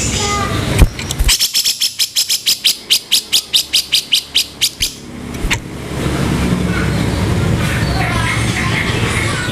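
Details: Grey-cheeked bulbul in a master recording meant to train songbirds in harsh, rough vocals: a quick series of about fifteen harsh, buzzy, broadband notes at steady pace, then a steady rushing background noise.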